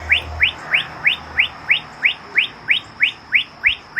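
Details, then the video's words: Bird in a natural setting calling a clear, short upward-sweeping chirp, repeated steadily about three times per second over a soft background hiss. "RELAXING BIRD CHIRPING SOUNDS"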